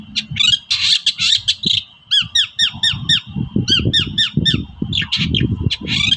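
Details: Long-tailed shrike 'toet-toet' call, used to excite shrikes that are reluctant to sing: scratchy chatter, then a fast run of arched, chirping notes about four per second, with loud low rumbling and a constant whine underneath.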